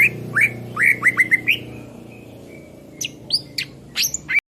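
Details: Greater green leafbird song kept as a master recording for training songbirds: quick upslurred whistled chirps in a lively run, a pause with a thin steady tone, then sharper high notes, over a low background hum.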